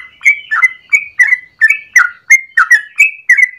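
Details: Morning song of a yellow-vented bulbul in lively 'gacor ropel panjang' style, a lure or master for training birds. Short liquid whistles, some upslurred and some downslurred, tumble out in quick pairs without pause.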